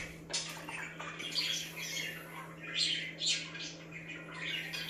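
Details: Budgies chirping to make other birds active; scratchy warbled chatter rising into brighter squeaky chirps, a couple of louder bursts midway, constant low hum behind.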